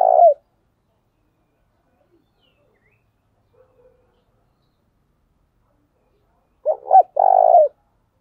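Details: Spotted dove used as a decoy bird, calling in a clear lowland style: a brief cooing note at the start, then after a long silence a quick pair of short coos leading into a drawn-out purring coo.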